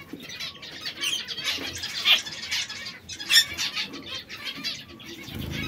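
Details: Red, yellow and brown pet canaries, three together that sometimes fight, give wavering trills and a few harsh squawk-like notes, with intermittent wing-flapping.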